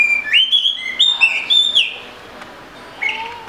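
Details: Oriental magpie-robin whistling a short phrase of clear rising and steady notes, then falling quiet apart from a faint low note at the end.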